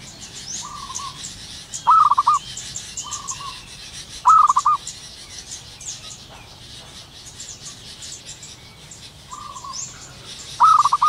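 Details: A wild zebra dove at morning gives loud rapid stuttered coos at uneven intervals, each led by a quieter trill, with faint chirps of other birds and gentle background hiss.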